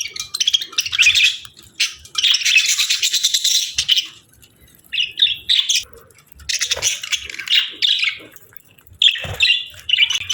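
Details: A pair of budgerigars in breeding season, bonding, chatter in dense, high, scratchy warbling bursts lasting one to two seconds, broken by brief quiet gaps, with occasional sharper chirps between runs.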